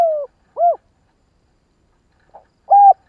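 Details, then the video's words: Spotted dove kích bổi cooing: the tail of a falling coo and a short arched note, then a long pause, a faint soft note, and a steady flat coo, against a silent background. "Chim cu gáy kích bổi nhanh nổi"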